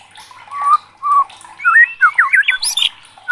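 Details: White-rumped shama singing in an agitated outburst: short mellow whistles, then a quick tumbling series of looping upslurred and downslurred whistled notes that ends in a high squeaky flourish.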